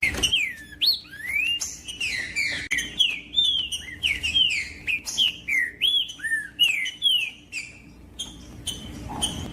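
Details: Green-winged saltator, played to stimulate cold captive birds: energetic whistled song of rising and falling slurred notes repeated about twice per second, fading near the end, over clicks and a low hum.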